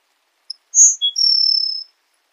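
A grassland sparrow sings a few thin, high introductory notes, then a long, even, insect-like buzzy trill lasting under a second.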